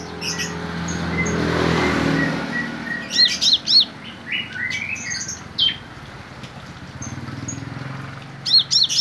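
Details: Java sparrow singing, with Bar-winged prinia song mixed in as learned filler; short clear whistled upslurs and chirps in scattered bursts over a soft low hum, with a brief rushing noise early on.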